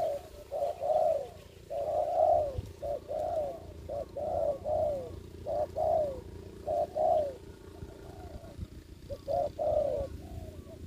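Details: Ground-decoy spotted dove at a trapping site during the COVID-19 season. Clear phrases of short, arched, mellow coos in groups of two or three recur across the recording over a faint steady hum.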